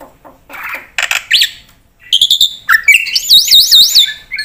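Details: Javan pied starling with mixed song: scratchy rasping notes and a rising whistle, a pause, then chattering and a run of high wavering looped whistles.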